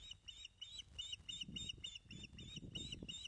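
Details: Piping calls at a Scottish osprey nest, Loch of the Lowes, as fish is delivered on the morning of 19 May 2012: a steady run of high chirped whistles, about three per second, over rustling and low rumble.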